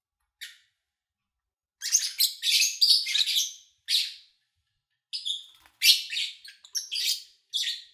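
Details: Lovebirds recorded in early August 2019: one lone chirp, over a second of quiet, then rapid tumbling volleys of harsh, high chirps with short breaks.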